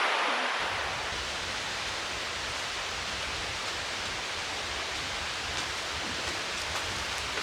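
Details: Steady broadband rushing like a waterfall or heavy stream fills the whole clip, with no animal calls standing out.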